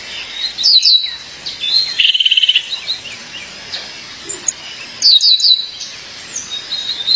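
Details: Female violaceous euphonia calling her partner: bursts of high, down-slurred whistles at the start and near five seconds, with a fast buzzy trill around two seconds and soft chips between.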